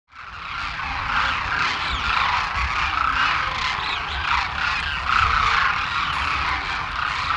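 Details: A huge wintering flock of about 12,000 Demoiselle cranes, foraging in fields near villages in Rajasthan, India, calls all at once: a dense, continuous chorus of overlapping raspy, rolling croaks, with a low rumble beneath.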